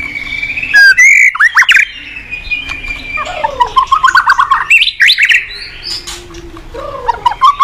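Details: White-rumped shama in full morning song, used as a lure for training cage birds: loud varied whistles, sweeping slurs and quick rising trills, alternating with softer scratchy passages and a low steady hum.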